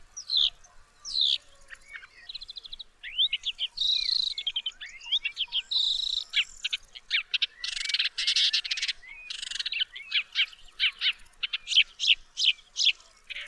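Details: Lanius senator, the woodchat shrike, singing a long, varied medley: thin descending whistles, warbled phrases, then a run of dry, clicking buzzy notes repeated in quick succession toward the end.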